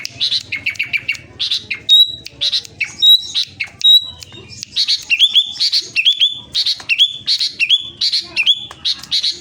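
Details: Sooty-headed bulbul kept as a songbird in Klaten, Central Java, singing hard: fast chattering trills, then sharp high whistles with abrupt upslurs, later settling into regularly spaced phrases ending in rising hooked whistles.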